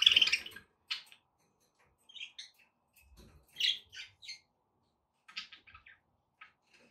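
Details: Budgies making sounds to encourage a parrot to eat and sing: one loud chirp at the start, then sparse soft tweets and quiet chatter separated by silence.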